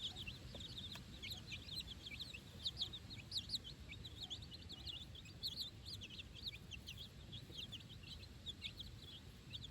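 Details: Four-day-old chicks with their mother, out on fresh grass for the first time, giving a long, even chorus of high, thin overlapping peeps from many birds, over a constant low rumble.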